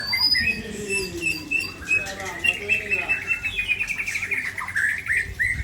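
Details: White-rumped shama of the Ujong Pancu type from Aceh, Indonesia, pouring out its repertoire of filler phrases: varied whistled notes, slurred rising and falling phrases and quick trills in a continuous run, with faint background noise.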